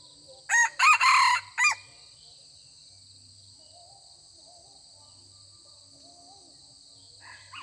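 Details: A wild red junglefowl male crows back at a decoy rooster, only exchanging greetings as males are not yet aggressive at this time of year; one loud, choppy four-part crow, then several seconds of droning insects and a faint crow at the end.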